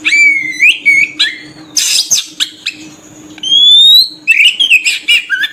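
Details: Oriental magpie-robin (kacer) lure song used to attract birds: clear whistled notes near steady pitch, sliding rising whistles and harsh buzzy bursts, with a faint constant low hum underneath.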